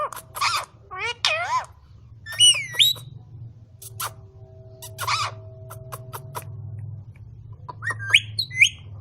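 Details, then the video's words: Green ring-necked parakeet kept as a talking parrot at a farm in Quetta, giving a run of harsh squawks, rising and falling whistled notes and speech-like phrases with clicks between them, over a steady low hum. "green ring neck talking parrot"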